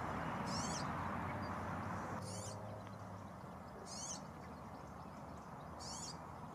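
European serin: short, very high, glassy jingling bursts about every two seconds, over a steady low rumble of wind or distant traffic.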